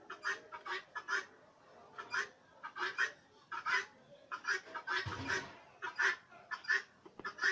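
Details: Turkeys kept on a farm in Bangladesh give rapid, honking, nasal calls in quick clustered bursts, many birds calling together; a brief low rumble near the middle.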